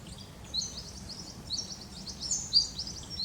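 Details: Eastern spinebills in Australian bush, flitting through foliage with other birds calling all around; thin, high chirps and short sharp notes come in scattered bursts, with faint low rumble beneath.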